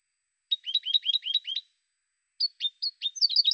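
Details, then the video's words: European goldfinch song with a rapid run of repeated two-part twitter notes, a short pause, then spaced high chips building into another fast, bright jingle; no other noises. "Cante De Jilguero"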